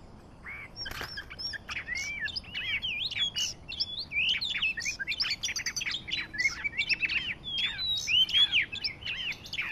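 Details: Oriental magpie-robin of the Kacer Medan variety, played as a trapping lure: a loud, rich, varied song of rapid whistled and chattering notes, sweeping up and down and running almost without pause, on a quiet background.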